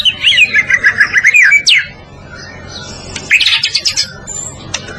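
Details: White-rumped shama of the Medan type singing as a training master for other birds; a fast series of looping whistled notes, then a pause and a bright burst of high chattering trills, over a low background hum.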